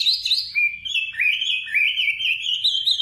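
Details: Nightingale song made of rapid, slurred whistled notes tumbling downward and then climbing, delivered in a quick, busy warble with little pause.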